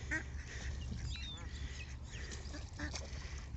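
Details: Canada geese, judged huge, give a few loud, nasal honks that startle the listener, partly buried under heavy wind rumble, with a thin rising whistle from another bird, on a 5 June Saturday walk in suburbia near water.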